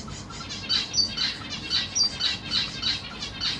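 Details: Black cheek zebra finch young begging as the parents feed them in a cage, three juveniles and three newborns, 25 June 2023. Rapid, high, buzzy-harmonic calls repeat about four times a second in a steady, pulsing run.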